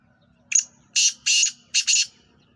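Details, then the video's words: Black francolin, known locally as kala teetar, giving a harsh grating call: one short sharp note followed by three loud buzzy bursts, the last one doubled, against a quiet background. "Kala Teetar Black Franclion Voice"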